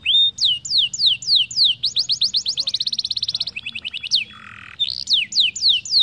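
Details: Canary song for training young birds to roll: slow descending whistled sweeps, a rapid rolling trill of sweeps, a brief harsh buzzy note, then slower sweeps again.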